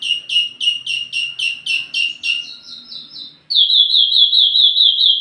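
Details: Wambi mini lure and master song for tledekan: a fast series of sharp repeated chirps followed by an unbroken, rapid high trill of tightly packed notes.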